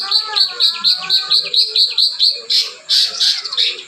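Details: Cucak ranting with imitated cotton-bird phrases: a run of about ten quick, evenly spaced high chirps, then a few louder, harsher notes.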